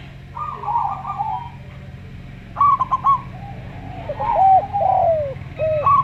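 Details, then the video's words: Zebra dove, local type with slow voice: a flat trilled coo, then a stuttering burst, followed by a Javan derkuku's arched and drawn-out falling coos over a low humming background. "Perkutut Lokal Suara Slow"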